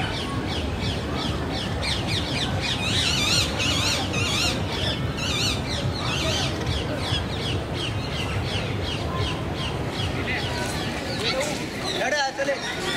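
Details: Rose-ringed parakeets in India. A flock gives dense, overlapping harsh screeches, rapid and repeated throughout, over a steady low rumble of background noise.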